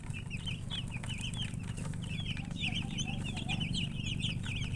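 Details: Chicks of domestic chicken calling in a dense chorus of rapid, shrill peeps, roughly a few per second, with a persistent low background hum.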